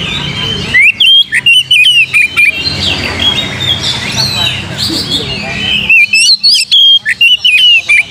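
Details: Bold phrases of whistled and slurred notes from an Oriental magpie-robin, played to provoke singing, open and close this stretch. A murmuring chorus of many chirping birds fills the middle.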